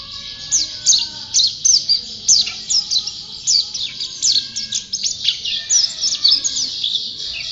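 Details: Rapid white-eye song, a lively run of high, sharp chirps and quick twittered notes delivered in bursts with brief gaps.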